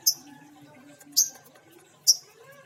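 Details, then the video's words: Female lovebird with an injured beak uttering three sharp, shrill chirps about one second apart, each short and piercing, over a faint low background hum. "Suara Burung Lovebird Betina - Paruh Terluka"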